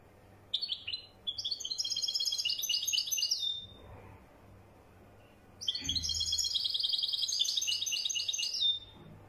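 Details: European goldfinch of the Wedani type singing two long, rapid twittering phrases of dense, high, tinkling notes, each about three seconds long and separated by a short pause, with a faint low hum underneath.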